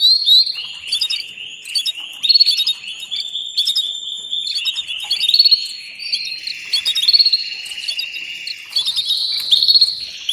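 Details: Female canary mating call for stimulating and training songbirds: continuous high trilling and chirping with sustained buzzy tones, steady throughout with little pause.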